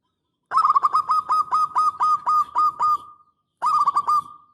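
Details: Local zebra dove in full song, a long-phrase 'angkatan panjang' style used to lure and tutor other doves: a run of about ten quick, even, resonant cooing notes, a short pause, then a shorter burst of similar notes.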